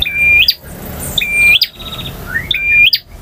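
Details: Rapid singing by a male bar-winged prinia, ngotot style among others: three whistled phrases about every 1.2 seconds, each steady then leaping up into a sharp clicking note, one soft rising chirp between.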